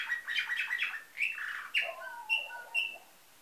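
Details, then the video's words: Nightingale-type singing canary from a Varna, Bulgaria breeder, recorded 2013; fast rolling warbled notes give way to lower liquid gurgles and then a few clear high whistles spaced about half a second apart. "Bülbül ötümlü kanarya , canary - Nightingale"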